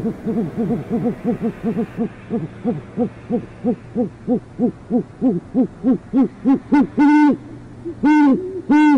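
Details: Great horned owl at a city nest site in northwest Oklahoma City, Oklahoma: a long, steady run of rounded, rising-and-falling hoots about one and a half per second, ending in several louder, longer, strongly resonant hoots.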